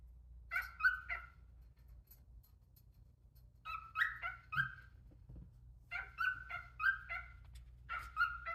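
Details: A pet male cockatiel warming up his voice sings short bursts of bright, slightly harsh chirps and whistles, grouped into quick phrases.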